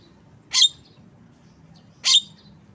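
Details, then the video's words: A Javan myna gives two loud, harsh, rasping squawks about one and a half seconds apart over a faint low background hum. "Bird Song Jalak kebo"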